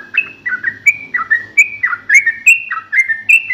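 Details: Yellow-vented bulbul in full song with a sharp fighting ngalas style: a quick, steady series of whistled, slurred notes that drop and rise, about three per second.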